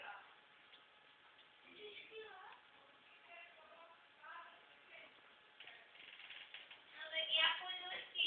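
A budgerigar chatters in quick, warbling notes that sound almost like speech, rising in the last seconds.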